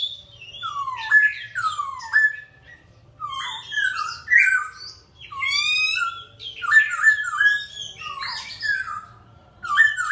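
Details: Bird singing a lively, varied song of sliding, falling whistles and chattering phrases in bursts, separated by brief pauses, with a faint low hum underneath.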